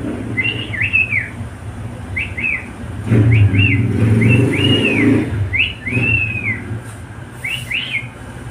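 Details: Pet cockatiel whistling in repeated arched notes, rising then falling, partly covered by a loud passing vehicle rumble in the middle.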